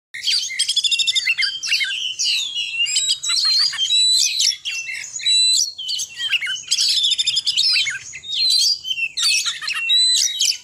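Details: Oriental magpie-robin in full voice, giving short chattering bursts, a rapid run of high sharp notes mixed with clear whistles and buzzy trills, with the phrases broken by brief pauses.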